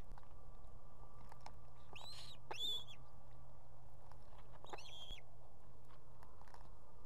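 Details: Osprey female calling the male to bring food for two chicks at an Estonian nest, summer 2016: two separated pairs of high, upward-sliding whistles that flatten out, over a steady low hum.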